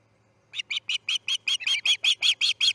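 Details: Osprey chick at the Charlo nest as it fledges, 6 a.m. on August 10, 2018: twelve loud, clipped high-pitched chirps in a steady series, slightly speeding and growing stronger toward the end, over a quiet low hum.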